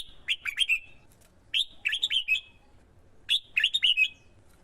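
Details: Red-whiskered bulbul male from Vietnam, set off by a female to sing in contest and call in wild birds. Three brisk phrases of fluttering, slurred whistles come about every one and a half seconds.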